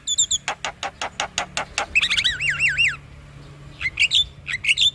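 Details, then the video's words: Singing male black-winged myna used to rouse another myna: a steady series of sharp broadband clicks, followed by rolling wavy whistled trills and a few high slurred chirps. "Kicauan Jalak Kebo Jantan Bikin Jalak Kebo Malas Bunyi Jadi Emosi"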